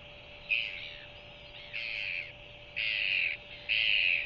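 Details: Newly hatched Royal albatross chick in New Zealand begging as its mother bends to regurgitate food at an evening feeding: four piping bursts about one per second, growing louder, over a steady electrical hum.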